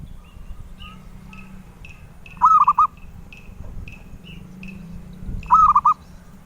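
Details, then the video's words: Collectors' zebra dove giving two purring, stuttered cooing phrases about three seconds apart while another bird chirps repeatedly with brief high notes throughout, over low background noise. "Suara Merdu Burung Perkutut"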